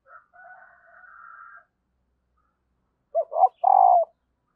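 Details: Female spotted dove calling to stimulate males to coo: a thin, sustained higher tone first, then after silence three loud, low, throaty coos, the last one longest.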